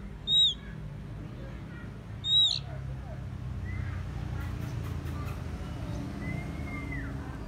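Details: Oriental magpie-robin (murai kampung, kacer), a decoy bird whose song lures rival birds: two loud, high whistled notes about two seconds apart, each sliding down, then faint softer whistles over a steady low rumble.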